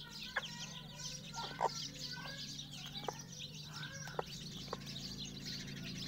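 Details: Mother hen among her chicks: several low, rounded clucks spaced a second or so apart, some drawn into brief arching notes, over a steady hum and a soft wash of chick peeps.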